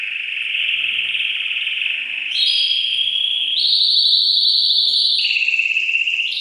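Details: Excited male canary singing to stimulate a female to mate: long sustained whistled tones and rapid rolling trills around mid-high pitch, stepping up and down in level plateaus, continuous throughout.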